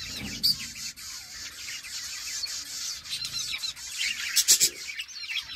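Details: Budgerigar colony heard as a soft, steady high twittering murmur with occasional sharper squeaks and a brief cluster of loud chirps near the end.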